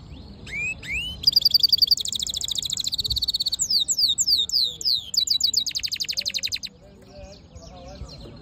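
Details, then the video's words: Singing black-hooded yellow siskin mule: a few rising whistled notes lead into a varied, fast medley of buzzy trills, harsh rattles and sweeping high chirps, ending with soft scattered twitters. "Black HOODED yellow siskin mule | Cabecita negra CD | Carduelis singing"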